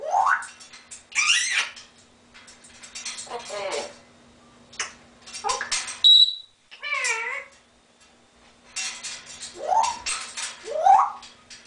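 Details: Pet African grey parrot indoors laughing and quacking like a duck: a run of varied raspy, rising and wavering calls in short bursts, with pauses between them and a steady low hum underneath.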